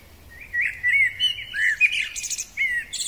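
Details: A springtime male common blackbird gives a short run of smooth, flute-like warbled notes, then a sharp, thin, high twitter, and finishes with another fluted note.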